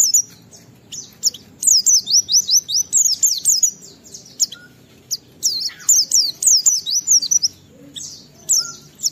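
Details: Lively, clear-voiced Oriental white-eye song played to provoke other white-eyes into singing: long runs of rapid, high, sliding whistles falling in pitch, delivered in dense bursts with brief gaps.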